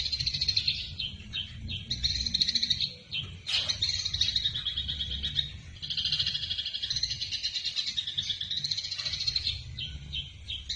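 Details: Eurasian tree sparrow in fighting mode, recorded as a training model for other songbirds: dense, high chirping chatter of rapid twittering notes running almost nonstop, broken by a brief pause and one sharp click near the middle.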